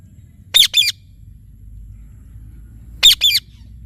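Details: Indian ringneck parrot, a talking pet parrot, giving two pairs of harsh, shrill double squawks about two and a half seconds apart, with quiet background between them.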